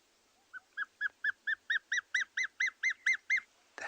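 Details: Dark Chanting Goshawk call, a phone recording played softly after a juvenile was seen on a South African game reserve on a July morning: a clear piping series of about thirteen notes, building in strength at about two per second, then a burst of noise.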